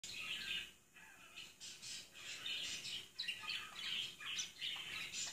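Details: A pet budgerigar, unusually excited by a biscuit hanging in its cage, chatters in quick, scratchy, high-pitched bursts of squawks and chirps.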